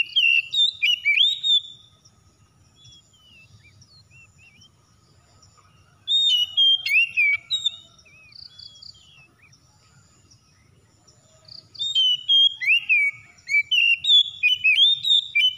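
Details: Home-kept white-rumped shama in full song, bursts of clear whistled, slurred notes and quick sweeps, separated by a long quiet pause with faint low rumble before the singing resumes.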